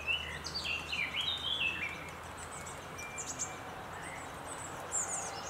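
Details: Lesser spotted woodpecker (Dryobates minor) at a nest cavity during feeding, 20 May 2017, with at least two young: a quick run of thin, high squeaky notes stepping downward for about two seconds, then scattered faint high chips over steady hiss.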